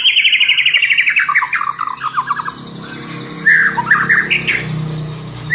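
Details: Champion white-rumped shama in lure song for prompting sluggish or untrained shamas; a fast, regular burst of repeated chattering notes for about two seconds, then quieter harsh squawky phrases and a few loud whistled accents.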